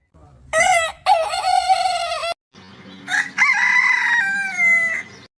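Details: Two loud rooster crows. Each has a few staccato opening notes and then a long wavering note that falls slightly. Low background noise underneath.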